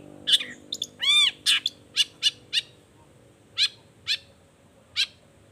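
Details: Long-tailed shrike lure song to coax other shrikes into replying: sharp chips, a long harmonic rising-falling whistle, then a string of short harsh notes thinning to single calls about half a second apart.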